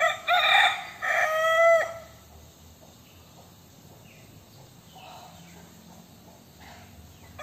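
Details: Young rooster with a handsome comb crowing: two loud, harmonic, strained crow phrases in quick succession over about two seconds, followed by quiet background with faint distant sounds.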